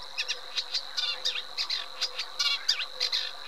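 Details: Eurasian reed warbler song: a rhythmic series of scratchy, buzzy notes, some slurred down and up, repeated in small groups over a constant high hum.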